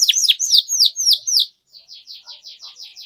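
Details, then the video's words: Canary song used as a lure to teach young canaries. Loud, bright downward-slurred notes are followed by a short pause, then a softer, quick row of buzzy chirps. "PANCINGAN Kenari GACOR PANJANG Cuit CUIT Ini Ampuh Untuk MASTERAN PAUD Kenari Belajar BUNYI"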